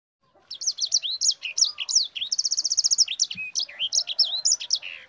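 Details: Sanger singing a rapid, lively song used as a tutor and lure for other cage birds: sharp sweeping chirps with a fast repeated trill run in the middle, no other sounds.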